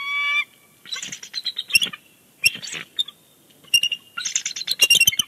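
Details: Two bald eagles chattering on their Big Bear Lake nest, 30 January 2020, before departing: quick strings of shrill, staccato squeaky notes in several bursts, with one flat tone at the start.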